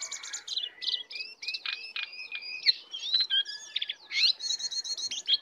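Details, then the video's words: A wild lesser shortwing (cingcoang coklat) that came to attack gives a brisk, high song of trilled buzzes and rising whistles, run together with few breaks, over a soft background hiss. "Jongkangan/cingcoang coklat Liar Datang Menyerang"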